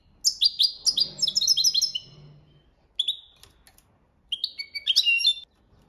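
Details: Goldfinch delivering copia malaga training song: a dense burst of high chattering twitters, a lone note near three seconds, then a final quick liquid flourish; faint low hum beneath the opening phrase.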